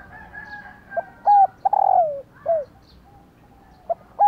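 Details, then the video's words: Female spotted dove call, said to trigger males to answer: one complete mellow phrase of short coo, arched coo, long pulsed downslurred note and a clipped end note, with the next phrase beginning. "Tiếng Cu Mái/ cu mái kêu kích chim cu gáy trống gáy theo"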